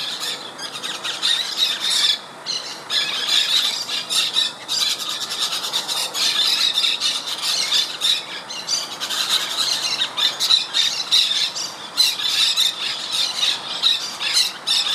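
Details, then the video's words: A colony of over 20 White-winged Parakeets feeding and preening in a mango tree in Miami, Florida, gives shrill, scratchy squeals and chattering calls, many overlapping in a near-continuous stream with brief pauses. "White-winged Parakeet"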